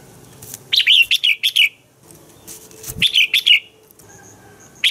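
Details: A red-whiskered bulbul's morning song, meant for training other bulbuls: two rapid runs of five or six rich, slurred whistles about two seconds apart, with a brief note cut off at the end.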